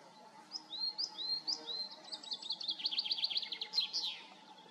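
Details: A coal tit in Serra da Groba, Galicia, gives its thin, high two-note tit-tuii call, about one per half second, then a quicker run of sweet repeated notes.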